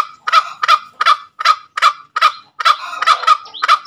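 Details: A green junglefowl delivers about nine loud, raspy kek notes in quick succession, spaced unevenly with short gaps, part of its ngekek calling.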